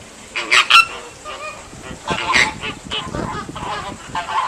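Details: American flamingos at Ueno Zoo in July 2014, where a chick hatched on 7 July, give loud, nasal, goose-like honks in bursts, several birds overlapping over a steady murmur.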